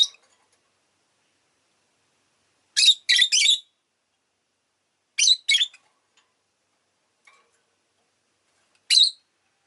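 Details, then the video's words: Rosy-faced lovebird giving harsh, shrill chirps in short bursts of two or three, separated by silent gaps of a couple of seconds. "Lovebird Chirping Sounds"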